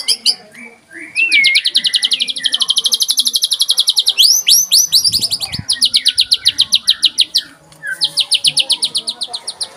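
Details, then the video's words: White-rumped shama (murai batu) pouring out a 'tembakan rapat' rapid-fire song: a whistled swoop leads into very fast, evenly repeated high trills, briefly broken, then resumed in a second long rattle. "Tembakan Rapat Burung Murai Batu"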